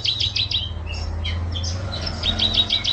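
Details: Canary singing, recorded as a master song for other songbirds: choppy bursts of short high chirps and brief whistles over a loud continuous low hum.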